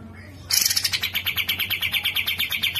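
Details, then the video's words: Grey-cheeked bulbul from a masteran tutor recording: after half a second of quiet, a sudden burst of quick, buzzy, high chirps repeated about five per second, steady to the end, with a low background hum. "Masteran Cucak Jenggot"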